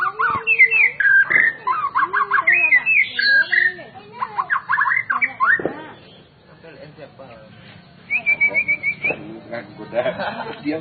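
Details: A captive white-rumped shama sings rich, varied whistled phrases, rising and falling, then a quick run of repeated high notes after a brief pause.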